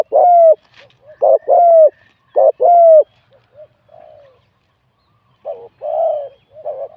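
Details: Spotted dove cooing at a singing competition, a wild bird scored 87 points for its mid-to-large voice style; three loud paired phrases of clipped note plus drawn-out falling coo, then softer, scattered coos.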